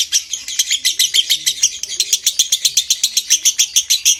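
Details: Lovebird giving a long konslet ngekek trill meant to stimulate breeding condition; fast, loud, scratchy chattering pulses at a steady pace throughout.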